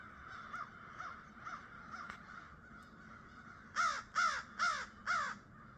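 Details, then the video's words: Crows cawing on a foggy, mild winter morning after a late start: faint distant caws in the first seconds, then four loud harsh caws in quick succession near the end, each arched and hoarse. "Even the crows had a late start"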